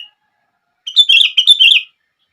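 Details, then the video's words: Sooty-headed bulbul giving one lively phrase of quick, bubbling, warbled notes lasting about a second, from a recording meant to make other bulbuls sing. "100% Langsung Ikut Gacor...!!! Kutilang Lain gak bisa diam saat mendengar suara ini!!!"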